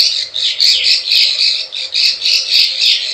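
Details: Plain prinia lure call of the 'klik klik ciwah' type, used to attract wild birds: harsh, buzzy high chirps in quick bursts, pulsing about twice a second.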